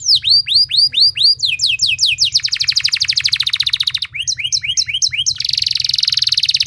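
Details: Canary song as a lure for other canaries, delivered long and loud in 'nembak' style: arching whistles, then dense rattling and buzzing trills, brief chirps, and a final sustained buzzy roll, with low background hum.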